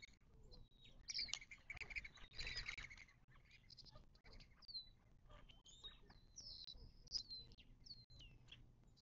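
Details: Birds visiting a watering hole in the western Mojave Desert near Joshua Tree National Park, southern California, 19 March 2024: high whistled chirps and slurred notes, with a busy burst of overlapping calls early on and a soft low hum beneath.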